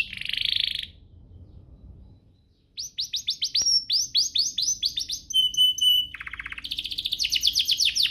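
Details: Singing canary used to coax other canaries to sing: a buzzy burst, a short pause, then a run of rapid, rising chip notes, piping whistles, a low rattling trill and a final dense high trill.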